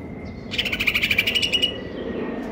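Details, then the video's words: Greater green leafbird, konslet kejer nembak style: a single rapid pulsed trill of about a second, steady in pitch, with a faint sustained tone and background hiss. "cucak ijo konslet kejer nembak"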